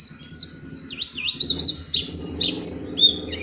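An Oriental white-eye gives a rapid, high-pitched run of thin chirps and wavering, slurred twitters, with a faint low hum underneath.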